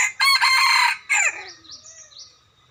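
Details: Decoy rooster used to lure birds to a trap: a loud, harsh crow in two strong bursts, the second falling away, followed by faint whistled notes from other birds.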